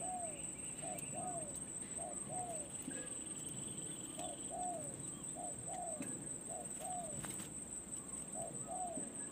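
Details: Spotted dove, a decoy bird being trained at the perch, heard distantly: soft paired coos, a short note then a longer falling one, repeated steadily amid rustling background noise, insect-like buzzing and a constant high whine.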